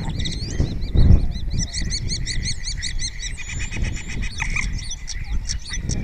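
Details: Spotless starling singing in Cabañeros National Park, Spain, answered by fellow starlings, repertoire including imitations. A fast run of about a dozen repeated high chirps, then scattered clicks and whistles, with a brief thump and low background rumble.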